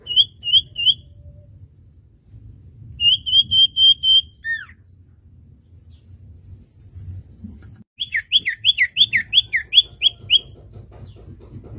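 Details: Common iora song recorded as training material for songbirds: short bursts of rapid high whistled notes, a steady series, then a fast descending jumble of whistles, over faint low rumble.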